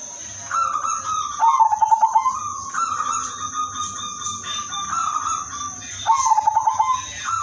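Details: Zebra dove, udanmas silver strain, in melodious song meant to draw in other zebra doves: two bursts of fast stuttering coos about five seconds apart, linked by sustained smooth whistled notes, with a steady high background hiss.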